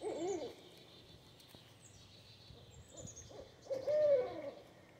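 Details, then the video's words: A pair of Barred Owls staking a claim to territory: a wavering, slurred hoot at the start and a louder hoot that rises then falls near the end, over a quiet, faintly hissing background. "Pair of Barred Owls Staking Claim"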